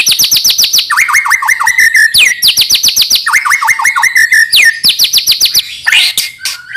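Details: Shama song played to get young birds singing: dense rapid series of falling high notes interleaved with runs of lower rising whistles, ending in a brief harsh burst.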